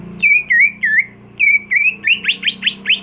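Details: Caged greater green leafbird, home-kept in Indonesia, sings wavering slurred whistles with short pauses, then speeds into a rapid run of sharp downslurred notes, about four per second, over a low hum.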